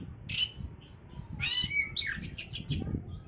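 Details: Oriental magpie-robin song played to stimulate breeding condition: harsh scratchy bursts, a buzzy descending phrase, then a quick series of sharp high chips, over low rumbling background noise.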